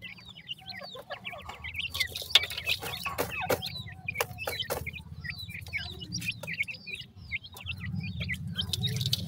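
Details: Young grey francolins calling to their mother, a dense stream of thin, curling squeaky chirps coming from several chicks at once, broken by loud dry taps and thumps over a steady low rumble.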